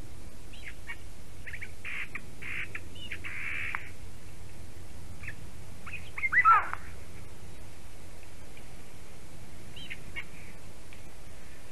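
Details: Eurasian jay visiting a black stork nest in Latvia, morning of 11 April 2019, giving a varied song of short buzzy and chattering notes around the mid range, with one louder harsh rasping note midway; steady low hum beneath.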